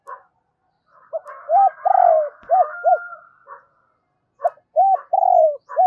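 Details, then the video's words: Decoy spotted dove giving its double-voiced call used to lure wild birds: a strong run of deep, arched coos, one long drawn note falling away, set against a burry, harsher overlapping call, then a second coo sequence after a pause. "Chim cu gáy gọi giọng đôi dùng kích bổi tập mồi hiệu quả"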